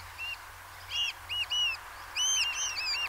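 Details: Eurasian oystercatcher calling at Peenemünde: loud, shrill piping notes that arch up and down, given singly and in quick pairs, with a denser burst of overlapping calls near the end; quiet background.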